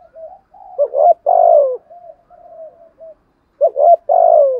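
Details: Spotted dove 'thúc gù' cooing for stimulating captive doves: soft low hums, then two strong phrases of quick stuttered notes leading into a long descending coo, separated by a quiet pause.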